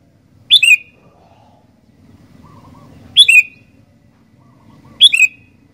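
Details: Sooty-headed bulbul repeating a clear two-part whistle about every two and a half seconds, each a bright note dropping to a lower slurred one, over a faint low background hum.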